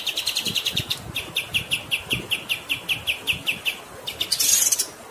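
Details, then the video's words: Rolling kapas tembak song: rapid high chirps slowing into evenly spaced notes about three per second, closing with a harsh buzzy burst. "MASTERAN KAPAS TEMBAK GACOR Ngerol Durasi Panjang"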